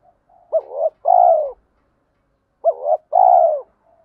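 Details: Lure spotted dove cooing to prompt other doves: two identical phrases roughly two and a half seconds apart, each a short upturned double coo then a long, rolling, downward-sloping coo. Calm, clean recording.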